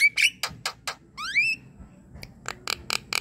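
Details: Javan myna song to stir a silent myna into song: harsh chacks, a rising whistle, then a pause and more rasping notes.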